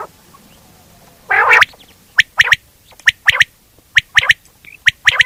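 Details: One quail: a loud nasal burst, then crisp clipped notes in tight clusters of two or three, spaced about a second apart.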